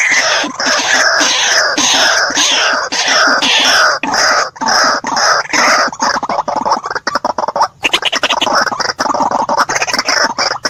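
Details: White-breasted waterhen delivering loud, raspy croaking phrases in rhythmic bursts, the notes tumbling faster and more broken in the second half.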